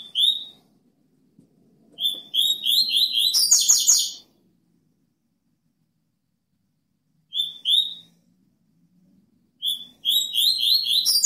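A double-collared seedeater sings high, bright bursts of quick chirps and trills, each phrase lasting one to two seconds with short pauses between. No other sounds stand out.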